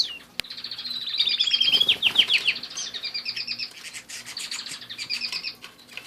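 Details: Canaries singing: a long, fast run of rolling trills and sweeping whistled notes at high pitch, pulsing several times a second, with a brief sharp click near the start.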